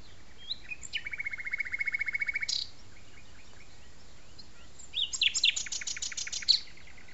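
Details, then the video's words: Common nightingale in song at an arboretum in France: a long even rattle of repeated notes, then after a pause a burst of loud, rapid varied chirps and whistles. "au chant du rossignol"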